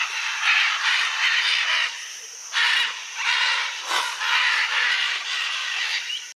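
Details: Hundreds of Scarlet, Red-and-green and Blue-and-yellow macaws gather at a clay lick on the Rio Tambopata, Peru, squawking in a harsh, raspy chorus of overlapping screeches rising and falling in bursts about every second.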